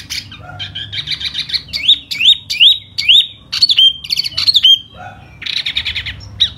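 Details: One silver-eared laughingthrush singing 'hót xoè' in spring, with buzzy trills giving way to a series of clear rising whistled slurs, then a dense rattling trill and a final short whistle.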